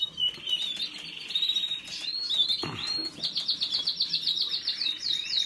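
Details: Singing canary delivering high warbled notes, a brief sharp downward sweep, then a fast, evenly repeated trill of rising chips running to the end of the phrase.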